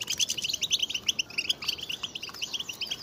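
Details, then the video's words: Group of European goldfinches in excited chatter for stimulating males to sing: continuous rapid twittering and sharp tweets layered on one another, steady throughout with light background hiss. "بتبتة جماعية للحسون رهيبة وفتاكة لتحفيز الحسون على التغريد والهيجان"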